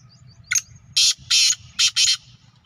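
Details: Black francolin (kala teetar) calling in the evening in a village: a short sharp opening note, then four loud, harsh, grating broadband notes in quick succession, the last two close together, over a low steady hum.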